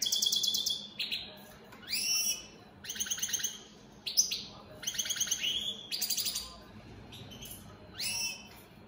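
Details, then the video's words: European goldfinches of the opal split Satane type pour out repeated bursts of high tinkling twitters and buzzy trills, each about a second long, with short pauses between them. "Opal split Satane goldfinches siging"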